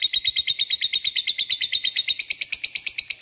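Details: Lovebird ngekek, played as a lure to call rivals: a continuous, very fast chattering trill of high, harsh notes, several per second, steady and even throughout.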